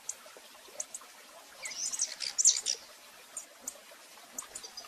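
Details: Female rufous-collared sparrow calling a lot, recorded live: a quick burst of high, thin chirps in mid-clip, with scattered single sharp chips before and after.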